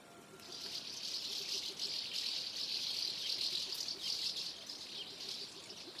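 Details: Common house martin (Delichon urbicum) flock gathering before flight, keeping up a dense, high chatter of dry, overlapping chirrups and twitters, several notes a second, over a faint hiss.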